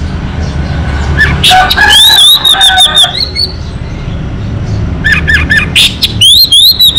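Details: Vigorous local orange-headed thrush song meant to stimulate birds that no longer sing: varied whistled phrases, a long wavering high trill and repeated short chirps in two bursts, with loud low background rumble throughout.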